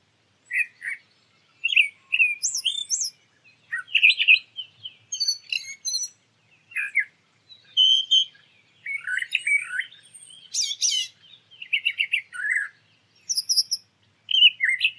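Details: Brown thrasher singing in nature: a long sequence of varied, rich phrases, chirps, slurred whistles and harsh buzzy notes, each phrase brief and separated by short pauses, delivered in quick succession throughout, with no other clear sounds.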